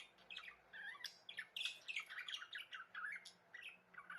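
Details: Budgerigars chattering in a continuous scratchy warble of quick squawky chirps and short whistles, bursts every fraction of a second, over a steady low hum.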